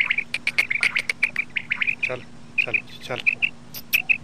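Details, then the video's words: Common quail (bater) calling: a rapid series of short, clipped, high notes repeated in quick bursts, then spaced pairs of sharp notes, with a few clicks and a steady low electrical hum. "Bater Ki Latest Awaz, Batair ki Awaz, Bater , Bater fight, Bater voice , Common quail"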